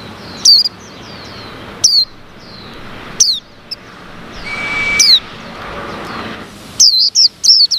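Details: White-eye chirps after the cover of a caged male's box is opened; he had been separated from the female, and wild white-eyes came around. Short, high, downslurred notes come singly and in pairs every one to two seconds, with a steady faint whistle midway.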